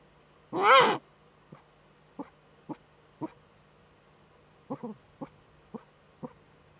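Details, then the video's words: Eurasian eagle-owl female scratching in the nest niche, webcam in northern Rhineland-Palatinate, Germany, 5 May 2013; an opening loud, harsh rasp, then a sparse series of short, quiet ticking clicks roughly every half second. "Uhu-Weibchen scharrt in Brutnische"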